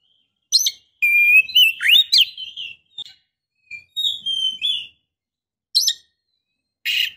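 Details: Female Oriental magpie-robin in breeding condition calls to attract a male with a level whistle that breaks into twisting warbles, followed by a drawn-out whistle and sharp scratchy chips.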